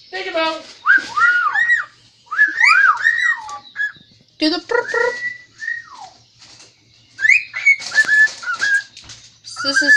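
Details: Pet cockatiel singing indoors in a kitchen, said to be trying to whistle the Addams Family tune: looping rising-and-falling whistled phrases, some quick warbled runs, pausing between bursts, with faint talk nearby.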